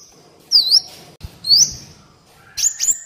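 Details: Black Sunbird song used as a training recording for captive birds and a lure for wild ones; three bright, high chirping whistles, each bending down then up, separated by short pauses.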